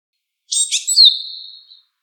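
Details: Wild Japanese tit gives one call, scratchy clustered chirps then a bright, sustained high whistle tapering off over nearly a second, heard alone against silence.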